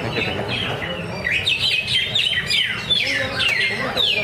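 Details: Contest-singing greater green leafbird (cucak ijo) at a practice competition by Danau Bumi Restu, Cikunir: a string of loud, clear whistles sliding down in steady phrases, overlapping with other singing birds and background talk.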